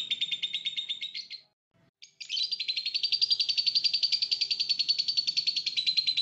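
A lovebird pours out a fast, high, buzzy chattering trill of about three to four notes a second, breaking off briefly before resuming in a long unbroken run.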